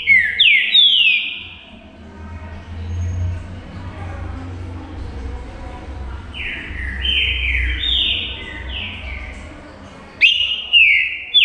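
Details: Green-winged saltator, a caged singer meant to provoke rivals: bright downslurred whistles open, a quieter stretch follows, then a run of five or six falling whistled notes and a final loud burst of slurred whistling.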